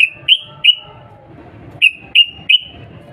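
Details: Sooty-headed bulbul call used as a lure to get other bulbuls to answer: short, sharp, bright notes that slur down slightly, given in two groups of three, with a pause between the groups.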